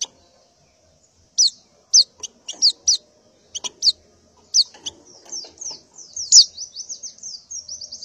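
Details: Morning calling by a female white-eye in breeding condition seeking males: separated sharp, high, downslurred chips, then a quick run of thin twittering notes at the end.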